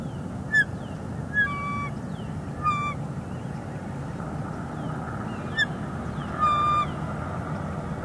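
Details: Female bald eagle with chick at a Northeast Florida nest in February 2021 calls to her perched mate: scattered short, high, slurred chirps and a few longer level whistled notes, with low rumbling background.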